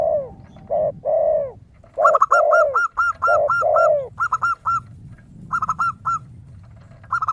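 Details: Zebra dove, locally perkutut, described as a lively singer with a crystal-clear voice and used as a lure: quick runs of short, bright, hooked notes. These alternate with lower, drawn-out, falling coos of a spotted dove (tekukur).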